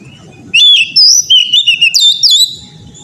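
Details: Oriental magpie-robin singing, a recording meant to coax young untrained birds into full song: one loud phrase of clear, high whistles sweeping up and down, with quick slurred notes and a light low background murmur.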